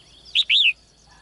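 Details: Caged female bird calling in the morning to attract a strong male: a short sharp chirp followed at once by a longer high arched note that slides downward, over quiet background.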